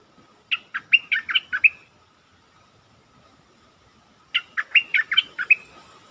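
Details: Stripe-throated bulbul, a caged bird, giving lure song: two bubbly, hurried phrases of about six sharp warbled notes each, about four seconds apart, over a faint steady hum.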